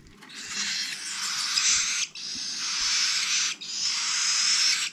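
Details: The last cockatiel chicks of 2021, hand-fed, make steady hoarse hissing rasps in three long phrases split by very short breaks.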